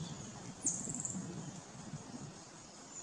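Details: Downy Woodpecker at the Theodore Roosevelt Area, Timucuan Preserve: one sharp, high call trailing into a few quick, faint notes, over a steady high insect hum and low rumble.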